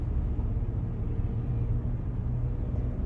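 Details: Continuous low rumble of a moving car drones through the recording, with no animal sounds.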